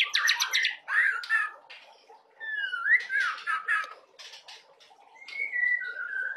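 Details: Young white-rumped shama (murai batu trotolan) singing isian phrases: rapid high chatter, a rising slurred whistle, scattered chips and a closing pair of falling whistles, with quiet gaps between.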